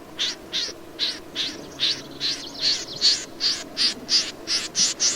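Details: Snipe repeating dry, rasping notes about two or three times a second in a steady, evenly paced series over a faint low hum.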